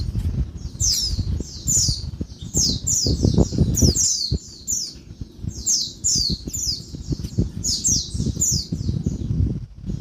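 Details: Female Oriental white-eye, heard in daytime, giving noisy calls meant to excite males: rapid series of thin, high, falling chirps in groups, with low knocking and rustling beneath.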